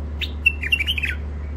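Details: Wild-caught birds in their first period of isolation, from Mandali, singing a brief run of sharp chirped and warbled notes, some rising and falling, over a steady low hum.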